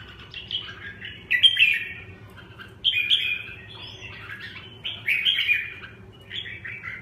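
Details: Red-whiskered bulbul repeating short, lively chattering phrases roughly every one and a half seconds, each a quick tumble of bright and scratchy notes, with quiet gaps between bursts.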